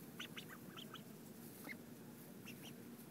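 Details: Several ducks calling while being fed, recorded in 2011: brief, scattered quacking notes in small clusters with short gaps, a constant low droning hum running underneath throughout.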